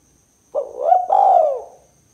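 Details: Kuk 2 style call of a spotted dove, meant for luring and prompting birds: a short rising note followed by a longer mellow descending coo, one clear phrase against silence.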